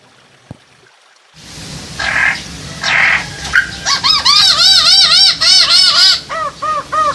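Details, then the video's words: Masked laughingthrush mating call, used to raise breeding drive: after a second of near silence, loud rough calls lead into rapid repeated arched whistled notes, several per second, with steady background hiss. "poksay hongkong kawin"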